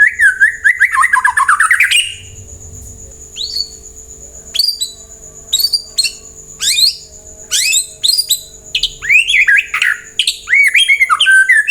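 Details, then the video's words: Long White-rumped shama song meant to make other birds respond and sing: a loud rich warble, then a pause, then sharp high notes and varied whistled phrases coming faster and denser toward the end. "Pancingan murai jadikan burung anda ikut nyaut dan gacor"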